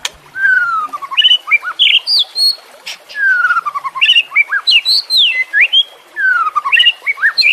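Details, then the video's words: White-rumped shama song played to encourage silent caged birds to sing: a long descending whistle opens, followed by quick sequences of rich upslurred and downslurred notes, the descending whistle returning twice between rapid varied phrases. "Masteran murai batu anti zonk cocok untuk murai batu yang macet bunyi"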